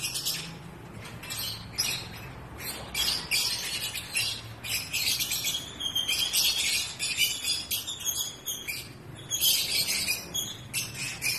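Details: Pet African lovebirds in breeding season give a busy run of shrill, high squawks and chirps, in dense overlapping bursts with short gaps throughout, against a low background hum.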